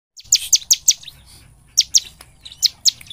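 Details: Bar-winged prinia singing loudly and constantly, used as a lure to make other prinias sing day and night: two bursts of sharp, high, downslurred notes, four then two, plus a few softer notes and faint low hum.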